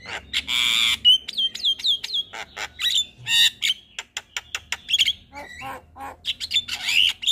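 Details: Javan myna morning calls meant to make other mynas respond: loud harsh squawks alternating with repeated sharp upslurred whistles and clicking notes, a busy chattering series.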